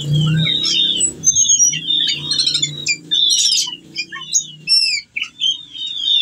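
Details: Whistling thrush singing while in breeding condition and calling a female, used to prompt birds that have stopped singing: loud whistled and chattering phrases broken by short gaps, over a steady low hum.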